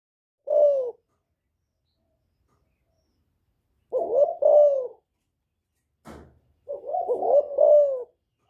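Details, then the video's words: Spotted dove in Thổ-style voice calling to provoke rival males: three separate bursts of low, hollow cooing phrases with falling notes, spaced by about three seconds of silence, and one sharp click between the last two. "Cu Gáy Giọng Thổ GÁY GỌI kích bổi"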